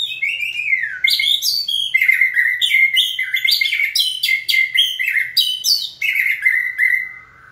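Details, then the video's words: White-rumped shama in training, stimulated by a person to sing on cue: a loud, rich run of whistled and warbled phrases, many notes sweeping down, with bright high overtones, delivered almost without pause. "Kỹ thuật kích thích lửa cho chim hót (shama bird)"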